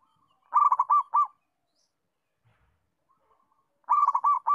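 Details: Local zebra dove song used to coax and train other doves into calling often: two bursts of quick rolling coo notes about three seconds apart, each of four or five notes, with a faint trill between.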